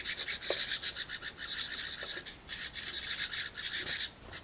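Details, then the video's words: House Wren nestlings in a birdbox beg for food as the parents bring it, in a dense, raspy, high-pitched chorus of rapid scratchy pulses that pauses briefly before resuming. "Parents Feeding Baby House Wrens"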